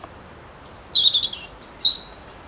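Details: A European robin gives its autumn song: thin, very high phrases of a few sweet, wavering notes sliding downward, then a brighter trill, over near silence.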